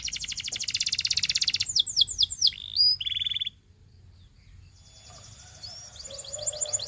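A Belgian canary sings fast buzzy trills, then rapid falling whistled notes and a brief rolling phrase, ending in high thin twittering after a short pause.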